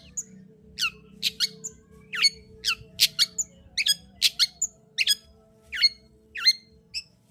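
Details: Long-tailed shrike song played to stir a silent shrike into singing: sharp descending chips and harsh rasping notes in irregular clusters, some doubled, over a low steady hum.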